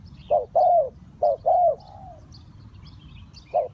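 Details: Spotted dove decoy for bird trapping giving two coo pairs, short then longer falling note, the second trailing into a soft fading tail, then a lone short coo after a pause; distant small birds chirp.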